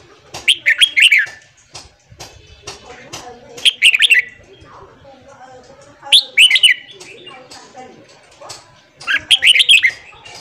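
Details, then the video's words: Morning song of a red-whiskered bulbul, played to train newly caught birds to sing: four rapid, rich warbled phrases of bouncing whistles, spaced about every three seconds, with soft clicks and chatter between. "luyện giọng chào mào hót sáng kích lửa cho chào mào bổi"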